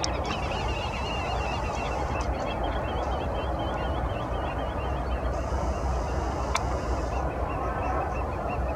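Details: Common shelduck recorded at Landje van Geijsel, the Netherlands, in April 2020: a series of quick, nasal honking notes repeats through most of the stretch, set against a heavy, steady low rumble with a brief sharp click midway.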